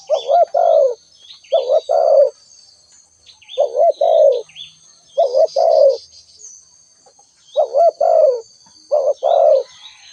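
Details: Repeated calls of a spotted dove: six low two-part phrases, a quick wobbling coo then a fuller falling coo, given about every one and a half seconds. Distant small-bird twitters and an unbroken shrill insect tone.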